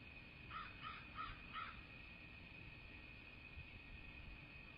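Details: Bald eagle at a nest in southwest Florida, January 8, 2024, late morning: one quick series of four thin, piping, stuttering notes, then only steady hum.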